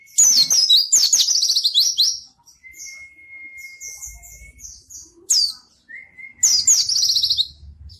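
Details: Energetic 'gacor' song of a pleci, or white-eye, meant as a tutor and lure for birds that sing little: a dense, high, tumbling twitter for two seconds, a long even whistle, then brief chirps and another rapid twittering burst.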